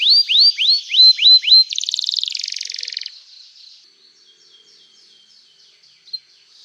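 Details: Lively canary song to get other canaries singing: six rising whistled slurs, a loud rolling trill, then faint soft twittering.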